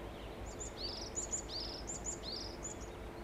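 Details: Varied tit singing while stretching after bathing and preening, 13 June 2021: thin, very high paired notes, each followed by a lower, slightly buzzy, falling note, repeated three times over a steady low background hum.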